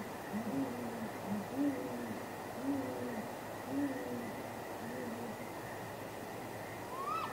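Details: Courting great grey owls at midnight, 23 April 2019, calling off camera near a nest: a faint string of low, soft hoots about once a second, set in steady background hiss and ending with one rising higher whistle.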